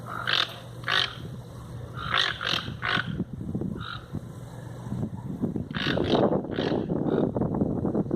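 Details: Wild toucans giving rough, croaky notes in quick pairs and triplets. The calls are clear in the first seconds, then partly masked by a louder rumbling background and a low hum.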